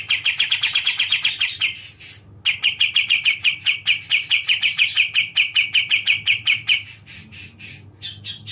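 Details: Sooty-capped bulbul (kapas tembak) giving long runs of rapid, harsh chattering notes, about three per second, with a brief break after two seconds. The series then resumes steadily before fading into a few spaced higher chips.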